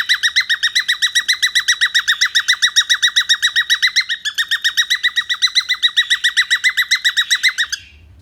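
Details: Cockatiel repeating quick, rich chirping notes at about four to five per second for nearly eight seconds, with a short dip midway, then stopping abruptly into faint low background noise.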